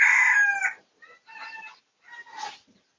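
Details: A red junglefowl, recorded for research on 18 August 2023, gives a loud, harsh crow that cuts off abruptly, followed by two fainter, raspy phrases about half a second apart.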